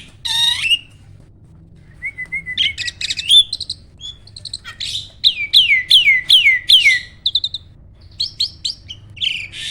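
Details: A champion farm starling sings in spurts: a sharp opening note, then a quiet whistle, then a rhythmic series of bright downslurred whistles repeated about twice a second.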